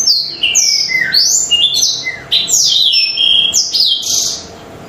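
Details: Black-throated canary singing hard in a lure recording for other birds: a run of bright descending whistles and buzzy high trills, a brief dip in the middle, fading out at the end.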